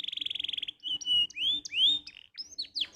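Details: Canary tutor song used to prompt other canaries to sing: a fast rattling trill of rapid repeated notes, then clear whistled rising and falling slurs and sweeping high notes, loud and clean.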